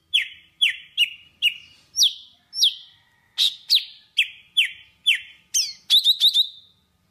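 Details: Java sparrow singing to call its flock: a series of short bright chirps, each dropping into a ringing tone, spaced about half a second apart, ending in a quick cluster of higher clipped notes.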